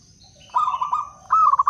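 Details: Zebra dove of local Blora wild stock used to attract other doves: a pulsed cooing trill, then a brighter, higher burst of rolled notes, with a faint thin whine behind.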